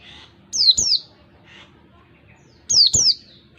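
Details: Lure song of a wild oriental white-eye meant to draw caged white-eyes: paired high, descending whistled notes repeated twice, with faint softer chirps between the phrases.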